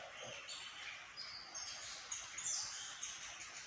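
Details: Orange-headed thrush (Geokichla citrina), which sings whenever there is light, delivers a dense, continuous run of high, varied warbling phrases with brief sharper whistled notes, rapidly and without pause.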